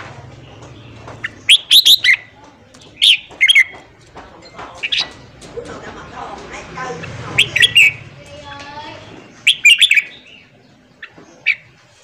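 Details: Red-whiskered bulbul with its morning training song for newly caught birds. Short, ringing whistled phrases are separated by pauses of one to two seconds, over a quiet murmur of softer chirps.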